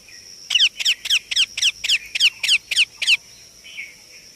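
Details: Indian ringneck parakeet chick calling: a run of about ten sharp, downward-slurred chirps, each with a rasping edge, given roughly every quarter second for nearly three seconds, then a softer short note; a faint steady high tone hums throughout.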